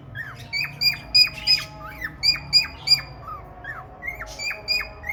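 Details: Male cockatiel in courtship of a red-eyed female budgie: rapid, crisp whistles that plunge in pitch, interspersed with a few low slurred chirps and one harsher burst.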